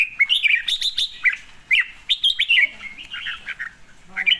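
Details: Red-whiskered bulbul singing short bright chirpy phrases, rapid warbled notes bunched in quick bursts with brief pauses, and a low human voice murmuring briefly in the middle.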